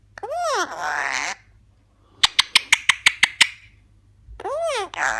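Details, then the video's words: Eclectus parrot talking in arched, word-like syllables with breathy follow-ups. In the middle comes a quick series of about nine sharp clicking knocks, then another voiced phrase. "Eclectus Parrot talking"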